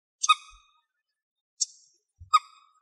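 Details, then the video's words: Young, hungry common moorhen feeding on grass in Greek countryside; three short, squeaky calls with harsh ringing overtones, spaced roughly a second apart, in otherwise near silence. "Common Moorhen bird calls"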